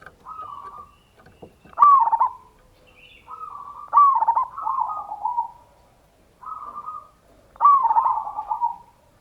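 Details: Local zebra dove with a big voice, singing in the ngayer kerot nutut style as a lure to stir other doves to sing. Each phrase is a soft cooing lead-in followed by a loud rippling burst, repeated three times.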